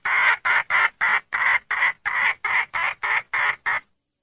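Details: Female red junglefowl calling for a mate with a steady series of about twelve harsh, nasal squawks, roughly three per second, evenly paced until stopping abruptly.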